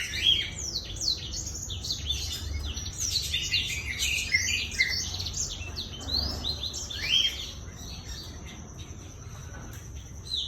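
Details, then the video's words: A black-throated canary in full, lively song, used as a lure recording, sings a fast continuous jumble of high twittering trills and sweet whistled notes, with low background rumble throughout. "PANCINGAN BLACKTHROAT GACOR"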